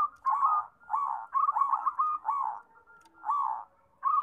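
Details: Lively zebra dove song: rounded coos and quick stuttering pulsed bursts repeat at a steady pace, with several birds overlapping.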